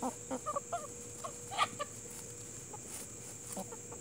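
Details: Plymouth Rock and Hamburg chickens clucking in short, soft bursts during the first two seconds, then quieter, over a steady high-pitched hum and a faint constant tone.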